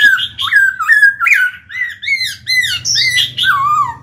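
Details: Black-throated laughingthrush kept in a cage, its song meant to spur newly caught birds to sing: a continuous stream of rich, loud, slurred whistles, each phrase bending up or down, ending in a long falling note.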